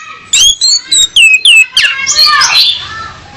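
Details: Female orange-headed thrush singing to lure a male into song: a run of clear, high whistled notes, several sliding downward, followed by a burst of scratchy, buzzy warbling.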